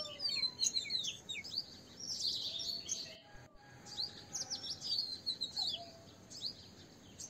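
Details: Asian green bee-eater, also called little green bee-eater: busy high chirps and short trilled notes, several overlapping, in bursts through the clip with a brief pause near the middle; faint lower whistles underneath and steady background hiss.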